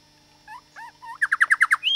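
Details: Grey shrike-thrush song from a young bird in a Renmark, South Australia garden one morning; soft scattered notes, then six loud, evenly spaced, downslurred whistles finishing with a rising whistled note.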